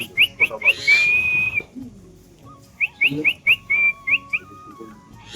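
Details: Adult Common Myna calling near its young chick at a home in the morning, sex unknown to the owner: bursts of short, rising whistled notes, about two per second, with a longer level whistle between, over a faint low tone.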